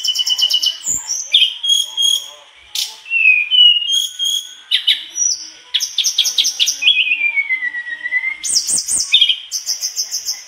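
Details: Mangrove blue flycatcher singing vigorously, showing off its learned repertoire: a rapid varied medley of high chirps, clear slurred whistles gliding downward, brief ringing trills and quick rising sweeps, closing with a fast run of repeated sharp notes.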